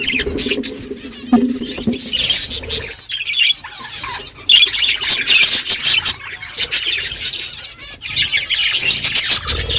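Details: Flock of budgerigars in the morning talking to one another: steady dense chatter of harsh squawks and warbled chirps, a short lull around the third second, then louder overlapping calls.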